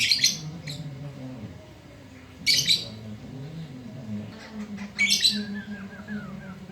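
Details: Black-throated laughingthrush singing at midday: three loud harsh bursts spaced about two and a half seconds apart, the last followed by a quick run of falling whistled notes, with a steady low hum behind.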